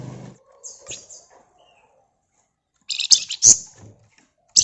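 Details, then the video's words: Flamboyan bird in vigorous bursting song used to lure other birds: a soft high whistle, then a silent pause and a cluster of loud, harsh high chattering notes, ending on one sharp burst. "Burung Flamboyan Gacor Ngebren Rapat Pancingan Ampuh"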